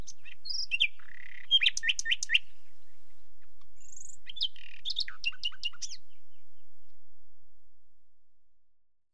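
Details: Nightingale song at night: two short phrases of rapid, repeated sharp notes and a clear high whistle, separated by a short pause, fading into silence at the end.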